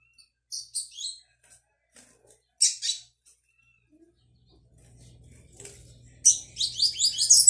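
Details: Brown juvenile double-collared seedeater practising the "tui tui" song on 22 May 2022: scattered high chirps and short buzzy bursts, then a quiet pause, then a fast, loud run of sharp repeated high notes with a faint hum underneath.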